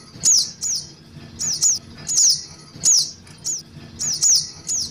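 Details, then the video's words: Young-bird lure call of the brown-throated sunbird: piercing high notes dropping in pitch, delivered in twos with short gaps, over a quiet low hum. "Suara Pikat Anakan Burung Sogok Ontong"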